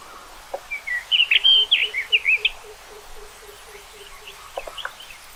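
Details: Common rock thrush: a short phrase of bright whistles and slurred chirps, while a steady series of soft low pulses repeats evenly, about three per second, under and after the song.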